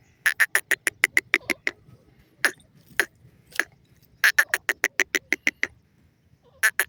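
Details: Grey francolin, one of a calling pair, known as teetar in Pakistan: fast series of short, sharp, ringing notes in rapid bursts, separated by a few spaced single notes.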